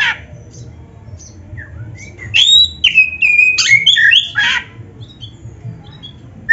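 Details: Oriental magpie-robin (kacer) singing gacor-style: after a quiet start, a short loud burst of fluty descending whistles and rich warbled notes lasting about two seconds, then soft scattered chirps and low background hum.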